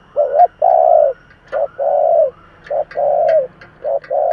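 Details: Cooing of a spotted dove kept as a decoy to entice wild birds, sung in 'giọng thổ' voice; short and long hoots alternate rhythmically, about one each second, with light clicks.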